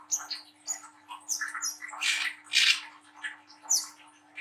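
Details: Young spotted Brown-throated sunbird in harsh song, recorded to stimulate young birds: rapid jumble of buzzy, grating chirps and high squeaks, loudest in the middle.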